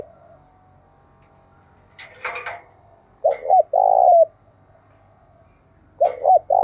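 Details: Spotted dove in the Đồng Nai hill forest, where 'gáy thúc' and 'gáy gọi' coos are heard. A brief rustling burst is followed by a phrase of two short coos and a long, deep coo, then the phrase starts again.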